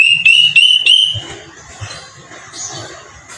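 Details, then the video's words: Square-tailed drongo-cuckoo, called kedasih hitam: a series of loud, clear whistled notes, four sharp rising whistles repeated quickly over about one second, then fading into quiet background rustle and low noise. "suara burung kedasih hitam"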